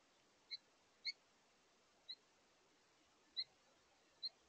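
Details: House finches, a male and female pair eating at a feeder at day's end: five sharp, high chirps at uneven intervals of about a second, over quiet background hiss.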